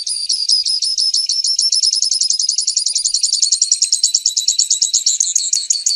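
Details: Grassland yellow finch (Sicalis luteola) delivering one long, loud, continuous trill of fast repeated high notes lasting about six seconds, the notes quickening toward the end.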